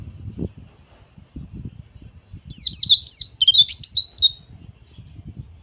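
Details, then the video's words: White-eye in harsh ngeriwik chatter: faint thin high notes, then a loud two-second burst of rapid scratchy twittering, fading back to soft notes over steady low background rumble. "PLECI NGERIWIK KASAR"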